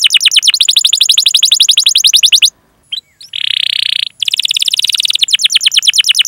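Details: Canary training song meant to draw young, untrained or silent canaries into singing, with long 'cuit cuit' chirps and a rolling 'ngerol' delivery. A fast run of sweeping chirps pauses briefly, a steady high buzzy note follows, then the rapid chirped trill resumes.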